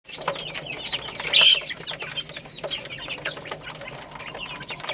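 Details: Baby chickens eating rice, giving high, thin chirps in quick scattered bursts, with one louder squeaky burst near the middle, over steady clicking and tapping.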